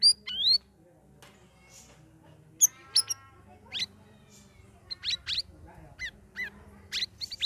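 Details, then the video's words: Sooty-headed bulbul, caged and trained for three weeks among other birds, opens with a bright whistled phrase. Scattered sharp chirps and brief buzzy notes follow over a quiet background. "CUCAK RAWIS NGERIWIK NGEPLONG"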